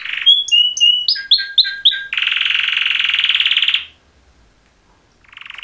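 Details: Male canary mating song from two males: quick whistled notes dropping in pitch, a series of paired chirps, then a dense buzzing trill lasting nearly two seconds before a brief pause and a new trill.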